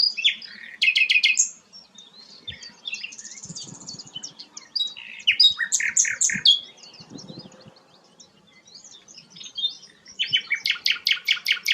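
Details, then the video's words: Sikatan londo, a rare flycatcher, delivering loud bursts of rapid, clicky high notes and rattles, broken by quieter pauses of soft twitters, over a low background murmur. "burung langka sikatan londo"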